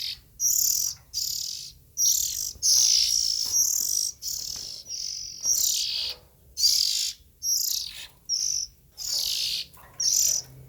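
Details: Oriental magpie-robin chicks calling steadily: about a dozen scratchy, hissing high bursts, some with a thin whistled edge, repeating roughly once a second at an uneven rhythm.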